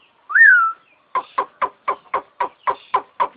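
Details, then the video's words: Starling imitating an ambulance siren gives one loud rising-then-falling whistle, then a steady series of about nine short, harsh chirps spaced evenly, roughly four each second. "Kicau Burung Jalak Jos Manggung Menirukan Suara Mobil Ambulance"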